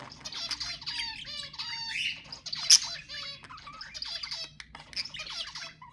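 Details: Budgerigar warbling for breeding stimulation: buzzy, harmonic chatter with sliding whistled notes and one sharp squeak midway, running continuously.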